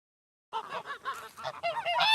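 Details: Goose honking: a rapid series of loud nasal honks with rising and falling tones, growing louder and more overlapping toward the end, as if several birds call together.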